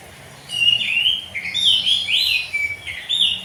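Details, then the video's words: Morning ngeplong-style song of an oriental magpie-robin, the kind played to get young untrained birds to join in: bright whistled notes with sharp upward and downward slides, strung together almost without pause. "kacer ngeplong di pagi hari"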